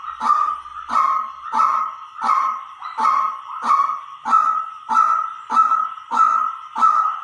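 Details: White-breasted waterhen decoy call used to lure birds: harsh, nasal, buzzy notes repeated at a steady pace, about one every two-thirds of a second, eleven in a row of even loudness, with no other clear sounds.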